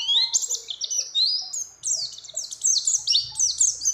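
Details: Mountain white-eye female in breeding condition calling a male, singing with other birds' phrases mixed in: bright, loud high slurred notes strung into fast warbling runs with brief gaps, and some faint low background sounds.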